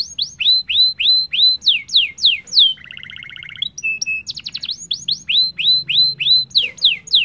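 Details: Canary singing to set other caged canaries singing: repeated falling whistles, a middle stretch of low rattling buzzy trills, then brisk whistled phrases again, bright and loud throughout.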